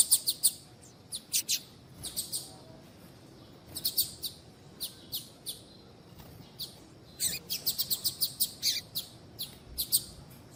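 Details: Female double-collared seedeater calls, used to stimulate males: repeated clusters of sharp, high chirps, with a longer fast run of quick chips near the end, over a faint hiss.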